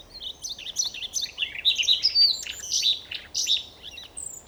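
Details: Singing Siberian rubythroat near Novosibirsk, Siberia, Russia: a fast, unbroken stream of high chirps, trills and whistled slurs, varied and jumbled, with a thin high whistle at the end; soft background hiss.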